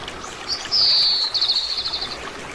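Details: Oriental greenfinch, a common resident bird in Korea, giving a long drawn-out high wheezing note that breaks into a fast, even trill, over a soft rushing background.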